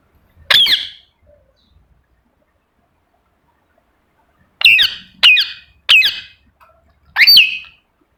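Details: Pet rose-ringed parakeet giving sharp, shrill chirps: one single note, a long silence, then a quick series of four screechy calls.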